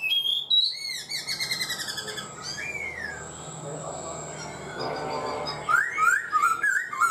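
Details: Four-month caged black-throated laughingthrush opens with repeated high warbled notes and a drawn-out slurred whistle, falls quieter amid indoor noise, then returns with bright rising whistled phrases.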